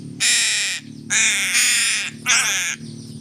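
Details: A crow that is being given fish calls three times in close succession, drawn-out raspy caws, the middle one longest, over a faint low drone.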